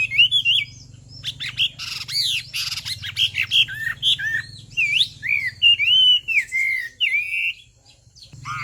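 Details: Chinese hwamei female stimulating a male to sing; a busy mix of harsh squawky bursts and bright slurred whistles, varied phrases tumbling rapidly over a low background hum.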